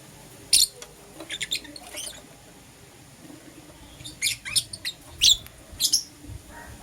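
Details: Lovebirds, a green Personata and a yellow pastel pied, in the morning: sharp, high, scratchy chirps in short clusters, with a quiet gap mid-clip before more rapid chirp bursts.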